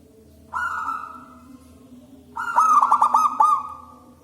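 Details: Local wild zebra dove with a loud, big voice, singing as a lure bird: a single drawn-out coarse note, a pause, then a fast run of rolling, stuttering coos.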